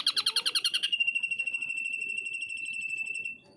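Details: Ashy drongo in energetic song at Cililin: a rapid run of about fifteen sharp, repeated notes, then a long, even, high buzzy trill held steady for over two seconds before stopping abruptly.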